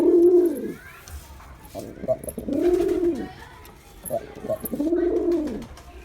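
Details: Male pigeon performing a series of three low, arching coos about two seconds apart, separated by brief softer clicks and murmurs.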